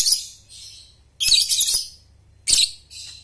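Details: Lovebird chatter serving as a lure for young birds learning the ngekek trill: three loud bursts of harsh, scratchy high notes, each trailing into softer chatter, above a low hum.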